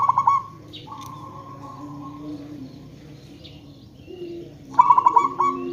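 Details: Lure recording of a local zebra dove used to draw replies from other zebra doves: a short run of staccato coos opens the clip, a long quiet stretch with faint hum follows, then another rapid rolling phrase closes it.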